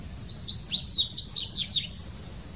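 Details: Dubois's seedeater singing at São Paulo Botanical Garden, Brazil, 6 1 2019: a quick, high, twittering phrase of sharp slurred notes and short trills, lasting about two seconds over faint low background hum.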